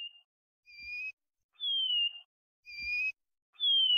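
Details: Plumbeous seedeater in "chorão" song style, whistling pure, plaintive notes in slow alternation: level or gently rising tones with a faint overtone, then drawn-out downslurred whistles, one roughly every second, with a couple of soft low knocks.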